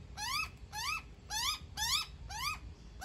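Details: Young magpie calls while its mother feeds it, giving a run of six rich, rasping notes that climb and then fall away, evenly repeated about twice a second with little else audible.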